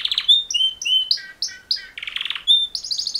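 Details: Male canary mating song: whistled sliding notes, several paired two-tone phrases, a brief buzzy trill, then a bright high rapid trill closing the phrase.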